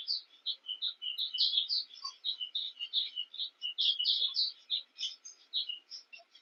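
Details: Cape weavers chatter without pause during nest building beside a king protea: a dense jumble of high, scratchy, wheezy notes from several birds at once, rising and falling in busy bursts.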